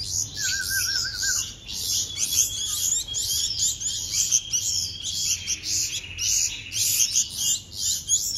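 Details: Bulbul chicks during hand-feeding, continuous harsh high begging calls in bursts, a short wavering warble near the start and a buzzy trill midway.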